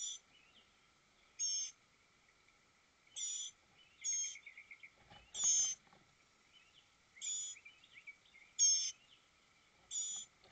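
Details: Northern mockingbird with nestlings recently grown, morning of 23 May 2021 at 9:54: short high harsh bursts repeated every one to two seconds, with softer chirps between and a steady low hum.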